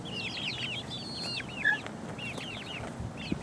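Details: Four-week-old chicks pecking around, giving high, short peeping chirps in quick overlapping runs, some with downward hooks; a steady low background rumble underneath.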